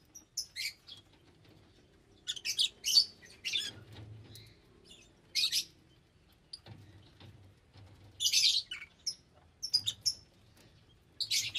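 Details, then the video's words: Lovebirds calling in separate bursts of piercing, high chirps and raspy screeches, with short quiet gaps between groups and little background sound. "Love Birds Nature Sound"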